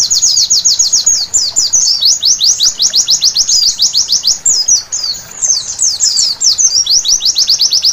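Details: Night-time white-eye song used as therapy to get birds singing: very rapid, high-pitched, descending chip notes strung into long trills, mixed with a few tangled twittering phrases, with a short quieter dip near the middle.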